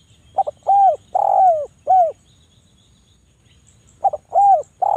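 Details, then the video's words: Javan turtle dove, a very vocal bird with dense, sharp calls used as a lure to set lazy doves calling: low rounded coos arching up and falling, delivered in a quick burst of four, a pause, then three more. "derkuku Jawa super gacor,suara rapat tajam cocok buat pancingan derkuku lagi malas bunyi"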